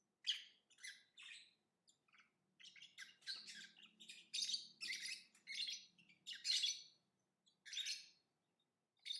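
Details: Lovebird singing and chirping in a long, fairly continuous stream of harsh, squeaky, high notes, at first spaced, then crowding into a busy chatter, with a soft low hum beneath.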